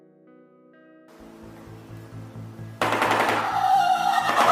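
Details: Electronic music opens with soft sustained notes, then a rapid pulsing beat builds and bursts into a loud, dense wash of sound, with no animal calls.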